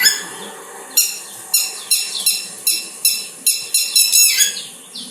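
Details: A red-wattled lapwing in Bandipur National Park, Karnataka, gives an alarm call warning other animals that humans are present: about ten loud, sharp, shrill, piercing cries in quick, uneven succession, accelerating near the end. Possible chicks may be nearby.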